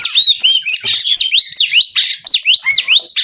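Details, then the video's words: Oriental magpie-robin in breeding condition and ready to mate, singing loudly: fast, looping whistled phrases, repeated rising-and-falling slurs and sharp chirps tumbling over one another without pause. "Kacer Minta Kawin Bongkar Materi"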